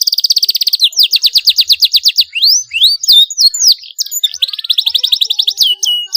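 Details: Continuous canary song with sharp rolls, played to encourage young canaries to sing. It opens with a rapid high trill, then slower slurred notes, a few rising whistles, and a final fast roll.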